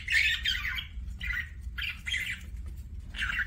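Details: Pet budgerigar making what are described as kissing sounds: short bursts of scratchy, squawky chatter repeated about every second, with soft low background hum between bursts.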